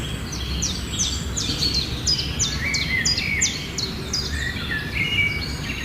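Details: Myna giving a series of sharp, falling chirps, with a few longer whistled notes late on. Steady ambient noise continues underneath.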